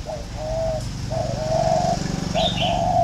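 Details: Spotted dove giving a warm, plain three-note coo ('cúc cù cu') in the thổ pha style: low mellow hooting notes in quick phrases, with a brief high chirp from another small bird near the end.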